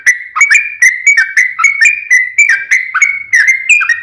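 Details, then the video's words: Long rolling song of a sooty-headed bulbul, played to prompt a kept bird to answer. Quick chattering whistles tumble continuously, each note sharply attacked and sliding, with no pauses for four seconds. "SUARA trucukan gacor ROPEL PANJANG pancingan trucukan agar bunyi JADIKAN burung trucuk gacor NYAUT"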